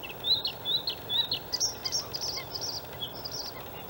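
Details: Male white-spotted Bluethroat in song at a Swedish harbour landfill reedbed, Halmstad, May 2017: rapid varied phrase of slurred whistles followed by higher buzzy, ringing notes in quick succession.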